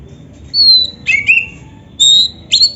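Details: Kacer, the oriental magpie-robin, in gacor song: a long high whistle, then lower sliding whistles, a clear held high note, and a sharp rising flourish, with little background noise.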